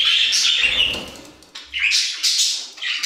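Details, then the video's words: Budgerigars in an aviary give scratchy, chattering warbles in bursts, a loud buzzy run first, then a short lull and several squeaky, rasping phrases from the flock. "Budgie Songs - 1 hour of Budgies singing in the Aviary"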